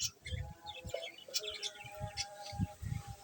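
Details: Short, high pet budgerigar chirps come scattered and irregular over a steady low hum, with dull low thumps of handling noise, around egg-laying and feeding time.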